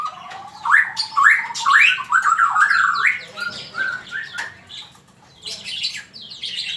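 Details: Male magpie-robin song for bird training: a fast sequence of upward-flicking whistled notes, about two per second, fading into quieter phrases and ending with high scratchy chatter.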